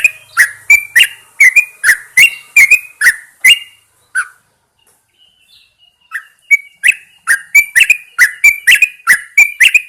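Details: Yellow-vented Bulbul, a cage bird set outside at dawn to prompt it to sing, gives rapid chirpy whistled phrases, falls silent for about two seconds, then resumes its bright repeated notes.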